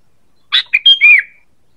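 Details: Sooty-headed bulbul calling as a bird lure: one rapid phrase of four linked notes, a buzzy start, then clear whistled notes ending in a slurred downward whistle. No background noise.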